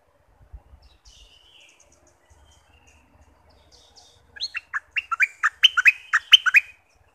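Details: Bulbul of southern Thailand, known locally as nok dok taeng, played to excite birds for decoy trapping; faint scattered notes first, then about two seconds of loud, rapid, bubbly warbled phrases, around a dozen notes in quick succession.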